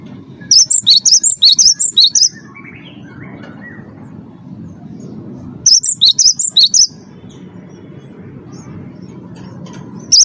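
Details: First-place wingko Cinereous tit singing hard as a lure for other captive birds: two bursts of rapid, high, ringing double-pitched notes, the first longer, the second shorter five seconds later, with a single note at the end and quiet hum between.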